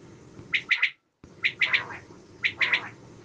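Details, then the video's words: Common quail giving its sharp, liquid three-note 'wet-my-lips' phrase, repeated three times about a second apart over a faint indoor hum. "Bedana sayrashi Batair ki awaz Quail sounds zòr بٹیر کی آواز"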